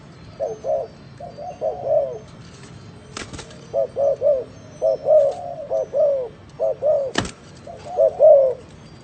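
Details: Spotted dove cooing in an odd style: clusters of short, throaty low coos broken by pauses and two sharp clicking bangs.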